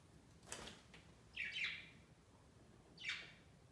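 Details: Pet budgerigars flocking on an indoor Christmas tree on their first Christmas; a soft rustle followed by two raspy, downward-sweeping chirps about a second and a half apart.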